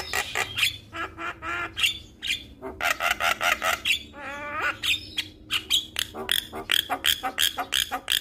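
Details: Male Javan myna in full song to draw other mynas into singing, pouring out rapid harsh chattering notes, squawks and a slurred whistled run, almost continuous.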